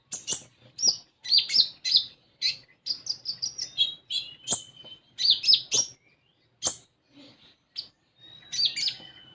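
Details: Common iora song for prompting an untrained konin to sing. Dense run of high chirps and squeaky twittering notes, a few short level whistles, with brief gaps and quieter fragments near the end.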